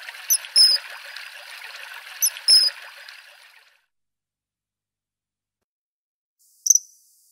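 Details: Common kingfisher in Wittlich, 2017, by a river: a few thin, piercing whistled notes over flowing water. The water noise fades to silence, then one last high note sounds near the end.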